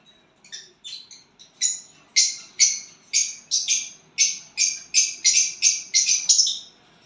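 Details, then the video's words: Violet bird chirping when it has a partner, giving a steady series of short, high, rasping chirps, roughly two per second, softer at first and growing louder, with no other clear sounds. "violet bird singing and chirping sounds when you get a partner."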